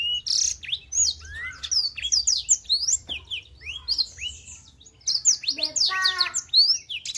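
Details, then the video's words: Black-throated canary in a very active, nonstop singing burst: rapid, varied high chirps and slurred whistles, many rising or falling sharply, tumbling together without pause. Near the end comes a brief buzzy, harsher stretch with a low background hum. "Blackthroat Super Gacor"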